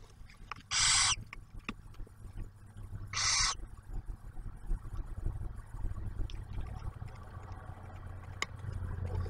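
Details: Two short, noisy hissing screeches from barn owls in a nest box at Ottawa National Wildlife Refuge, Ohio, during the owlet's first meal, followed by low rumbling background noise and scattered faint clicks.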